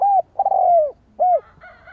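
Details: Decoy spotted dove call used to draw in rivals: a rounded coo, a long rough coo sliding downward, then a short arched coo, with a faint higher trailing sound at the end.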